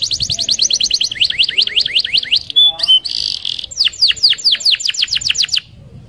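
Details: Canary in fast rolling song, played to prompt other canaries: quick trilled notes, a short harsh buzzy burst, then a run of sharp down-slurred whistles before stopping.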